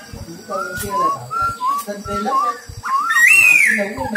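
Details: Silver-eared laughingthrush kept as a trapping lure bird gives a series of short whistled notes, each rising slightly, then ends with a louder, higher swooping whistle. People's voices and knocking sounds are heard underneath.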